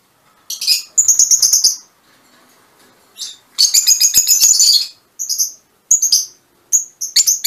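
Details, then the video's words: Fischer's lovebirds of mutation colours, kept as pets, giving shrill high chirps in short rapid bursts and longer chattering runs, separated by brief silences, in an indoor room. "mutación del agapornis - mutation fisher lovebirds"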